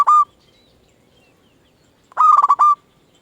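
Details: Local zebra dove singing to lure and excite other zebra doves into answering: one brief clear coo, a long pause, then a loud rolling phrase of rapid pulses ending in a held note.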